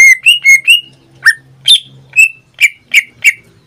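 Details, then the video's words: Greater green leafbird kept as a pet, singing almost every day: four quick, fluty whistles, then spaced single notes, some sharply rising and others slurred down, roughly two per second. "Suara cucak ijo suaranya tidak diragukan lagi"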